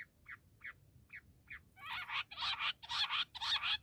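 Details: Bush quail: a few soft, short chirps at first, then rising into loud, harsh, grating bursts repeated about twice a second.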